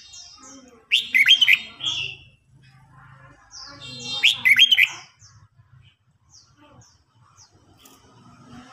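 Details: Contest singing by red-whiskered bulbuls, old bird against young: two loud, fast, twisting whistled phrases about three seconds apart, separated by soft chips and a low steady hum.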